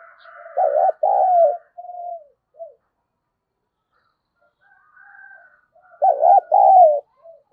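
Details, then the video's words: Spotted dove cooing to stir up a fight: loud looping double coo with a drawn-out falling note and short soft tail notes, a quiet gap with faint buzzy sounds, then the loud phrase again. "Tiếng chim cu gáy thúc đấu kích bổi nghe rất nhanh về cội"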